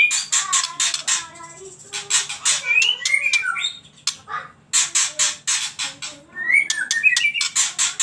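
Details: White-rumped shama, spotted 'trotol' fighter: loud song alternating harsh rasping bursts in quick series with clear swooping whistles and twisting rising phrases, repeated in waves, no other sounds.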